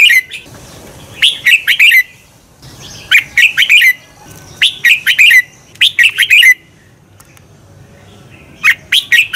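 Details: Red-whiskered bulbul singing a double-twist song for training birds to sing competitively: clear, quick phrases of several sharp whistled notes ending in a downslurred trill, separated by short pauses.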